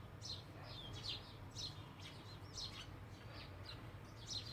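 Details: House sparrows chirp steadily, each short bright note repeated about every half second, in overlapping chatter above a low hum.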